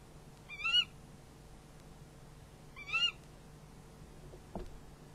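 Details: Barn owls calling at the nest as prey is handed over, recorded by a nest camera at night: two brief harmonic screeches about two seconds apart, then a soft knock or thump, low hum throughout.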